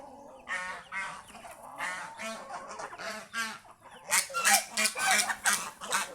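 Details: A flock of domestic geese in the fields around the house, described as happy and enjoying nature. Rapid, nasal honks repeat about three times a second and grow louder and more crowded in the second half.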